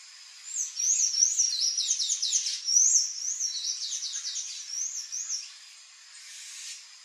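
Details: Palm tanager in Brazil singing a fast, high chattering song of squeaky, rising and falling notes strung together for about five seconds, then a brief quieter pause with faint noise.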